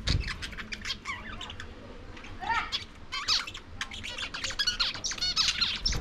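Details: Lovebirds feeding on corn keep up busy, harsh chattering and shrill squawks, with rapid buzzy trills and rising sweeps that grow louder toward the end.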